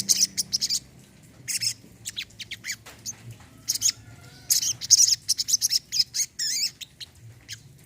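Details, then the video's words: Olive-backed sunbird (sogon, kolibri kelapa), a recording meant to coax silent birds into song: sharp, high-pitched twitters and chips in fast bursts, some rising squeaky notes, broken by brief silences. "TERAPI BURUNG SOGON KOLIBRI KELAPA MACET BUNYI"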